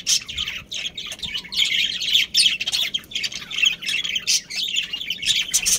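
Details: A budgerigar breeding pair and family, small Australian parrots, chatter in high squawky chirps. The bursts run almost continuously with brief pauses, and several birds call over one another.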